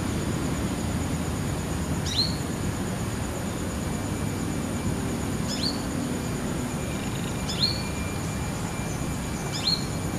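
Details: Wild brown-throated sunbird, apparently a young female, perched on a guava tree branch in the afternoon, seemingly calling to companions: short, sharp, high chips about every two seconds over a steady low rumble and hiss.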